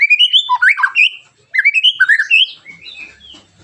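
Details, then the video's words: A white-rumped shama sings hard, sharp phrases meant to coax other shamas into song: rapid rising chirps and slurred warbles in two bursts, fading into softer twitters. "TEMBAKAN TAJAM KASAR burung MURAI BATU gacorr memancing agar murai anda ikut NEMBAK"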